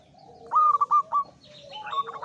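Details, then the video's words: Short, loud burst of four or five bubbling coo notes from a local wild male zebra dove in high breeding condition, then a second dove answering more softly. "SUARA PERKUTUT LOKAL JANTAN BIRAHI TINGGI"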